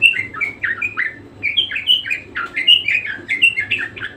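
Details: Parakeet, or budgerigar, singing persistently: a string of bright, squeaky chirps, many dropping in pitch, delivered in quick succession as an ongoing warble, a low hum beneath.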